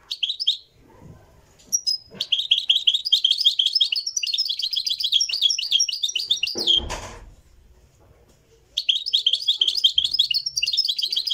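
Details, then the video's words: Live recording of a Moroccan goldfinch in full song: long, dense bursts of rapid, liquid twittering and chattering trills, broken by a knock and a short silence before the singing resumes. "تغريد الحسون المراكشي"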